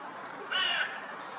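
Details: A Eurasian jay at a crow feeding spot with cat food in Munich's Botanical Garden gives one harsh, rasping screech lasting about a third of a second over a soft, steady background hiss.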